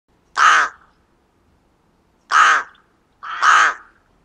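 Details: Rook calling three times: hoarse, grating caws with a broad harsh band centred near the middle range, the last a doubled caw, against a silent background.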